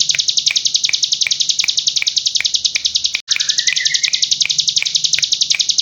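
Hill prinia pouring out a very high, rapid, unbroken rattling trill, paused once briefly, with a thin rising whistle and regular faint ticks behind it.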